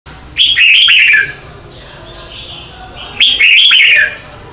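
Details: Red-whiskered bulbul giving morning contest song, used as a lure to train and stir other bulbuls to sing: two loud, bright, warbled phrases with rising then falling notes, about three seconds apart, with a faint softer note between them.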